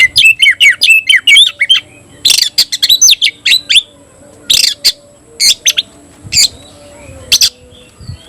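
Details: Caged oriental magpie-robin of the Tayoraky variety singing loudly: fast runs of sharp, buzzy whistled notes, then separate harsh squawky bursts repeated about every second, with a faint steady hum behind.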